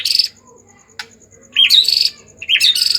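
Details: Excited white-rumped shama producing high, sharp chirped phrases with quick rising twists, meant to stimulate other shamas to sing; a single click sounds between them.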